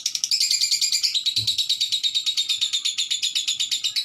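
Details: Lovebirds chattering continuously: dense, rapidly pulsing high chirps about three per second, with a single low thump partway through.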